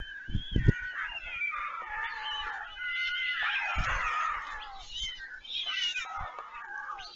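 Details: Nestling-stage white stork siblings at Leemansmolen, Vriezenveen, Netherlands, 11 July 2022, pleading for food from an arriving parent: a continuous jumble of cat-like, wailing, wavering cries from several birds, with a few thuds.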